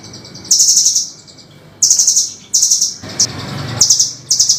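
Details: Velvet-fronted nuthatch recorded as a harsh, sharp master for training songbirds: five bursts of fast, very high chattering notes with short gaps and one lone sharp chip.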